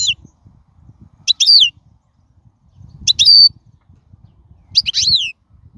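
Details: Wild European goldfinch, a royal goldfinch recording used to tutor chicks: three short phrases, each a bright downward-slurred whistle with buzzy overtones, about one and a half seconds apart, over a faint low rumble.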